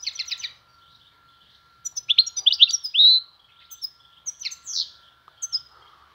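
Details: Goldfinch singing alongside a Van-type goldfinch: quick bright twittering notes high up, a short burst, a pause, then buzzy rising trills and chirps, with a steady faint hum running underneath.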